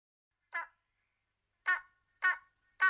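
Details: Spanish imperial eagle (Aquila adalberti) in Monfragüe National Park, Spain, giving four short, harsh barking notes, one alone and then three about half a second apart, against a quiet background.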